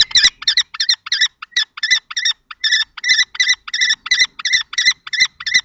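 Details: Two male common kestrels at a nest box in Théding, France, 20 March 2024, an older adult driving off a younger male: a long sequence of sharp, shrill repeated notes with brief pauses between runs.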